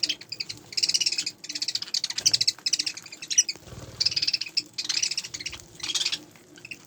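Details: A group of budgerigars giving continuous high, scratchy warbled chatter in bursts of about half a second to a second, separated by short pauses, with faint low thumps.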